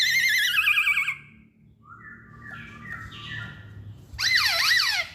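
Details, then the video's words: Masked laughingthrush singing: rapid wavering whistled trills at the start, softer flat whistled notes in the middle, then a loud burst of repeated looping high whistles, with low background rumble throughout. "Kicauan Poksay Hongkong"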